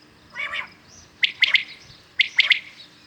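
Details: One soft, husky note is followed by two crisp, ringing three-syllable calls about a second apart, from common quails calling in the morning.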